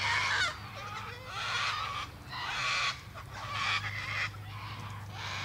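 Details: Cockatoo screams come in four drawn-out harsh bursts of about a second each, separated by brief gaps, with a low hum underneath.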